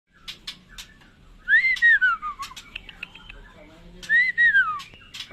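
Black shama singing two clear, arched whistles that rise then slur downward, about two and a half seconds apart, with short clicking and chipping notes between.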